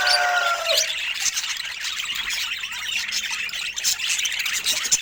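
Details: Budgerigar calls open with a few sharp, falling whistled squeals, then give way to a constant scratchy chatter of high twittering notes.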